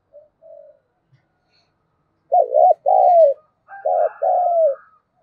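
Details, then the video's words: Decoy spotted dove coos used as a lure to stir rival doves into calling. Soft distant coos come first, then two loud paired coo phrases, then another pair overlaid by a thin, steady, higher whistle-like tone. "Tiếng chim cu gáy thúc bổi hiệu quả nhất - Chim Cu Mồi"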